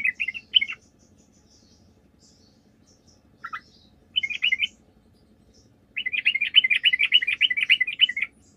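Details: Sooty-headed bulbul song played as a lure to get other bulbuls to answer: brief bubbly chattering bursts, then a longer rapid warbled run lasting about two seconds, with faint high chirps and a low steady hum underneath.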